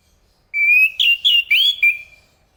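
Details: Chestnut-capped thrush singing a short, clear whistled phrase: a sustained rising note, then four quick, warbled, slurred notes with brief gaps, fading into a thin trailing whistle. The background is quiet.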